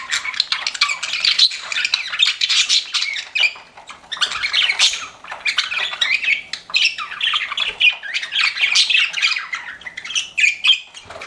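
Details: Several pet budgies keep up a chorus of harsh squawks, warbles and chirps in waves, with short quieter pauses between busy bursts.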